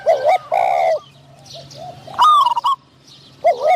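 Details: Decoy spotted dove luring wild doves to a trap. Brief hollow coos open and close the passage, with a harsh clicking burst between them and a faint low hum underneath.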